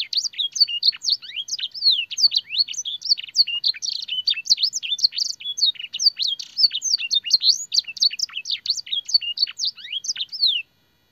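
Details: Canary singing a master song filled with blackthroat and sanger phrases for training: a long, unbroken torrent of rapid high chirps, slurred whistles and trills, ending abruptly.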